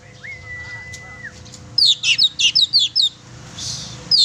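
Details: Oriental magpie-robin in full chatty song, used to provoke a pet magpie-robin: a long flat whistled tone, then a quick run of sharp high chirps at about two to three per second, ending with a single bright note.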